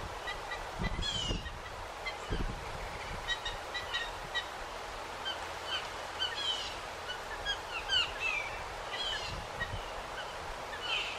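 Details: Several Blue Jays from a backyard clan mob a Red-shouldered Hawk resting in a pine tree, diving at it; harsh calls repeat in quick bursts alongside sharp sweeping notes, with low thumps and a constant background hum.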